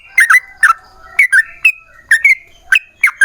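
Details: Paired and single gurgling whistles from a yellow-vented bulbul in rapid 'ropel panjang' song, used as a lure for other bulbuls; notes come in uneven bursts with short gaps between them.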